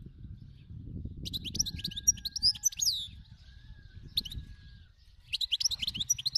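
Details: Wild European goldfinch in song: quick jumbled twitters and liquid trills in two bursts with a brief single note between, with a low background rumble throughout.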